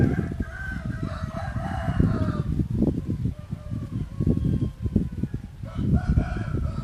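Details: Hybrid junglefowl, yellow line, finishing a long crow that slides downward, then starting another after a pause, both over strong low rumbling background noise.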